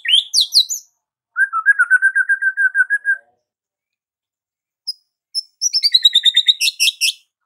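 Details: White-rumped shama singing: high rising notes, then a steady string of short buzzy notes at one pitch for nearly two seconds, a silence, and a closing high, bright trill with descending notes.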